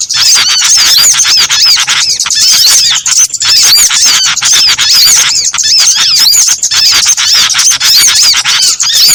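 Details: Trapping lure made from several small birds together: high-pitched chirping and twittering packed tightly, shrill squeaks repeating many times per second, steady and loud with only rare short breaks.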